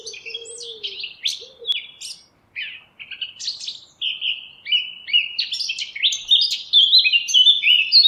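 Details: Eurasian blackcap song: a long stream of quick chattering and warbled phrases that grows louder and clearer toward the end, with a brief low coo near the start.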